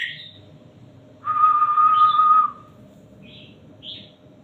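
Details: Caged red-whiskered bulbul holding a long, level, buzzy whistled note for over a second, preceded by a brief chirp and followed by two soft short whistles, with low steady hum behind.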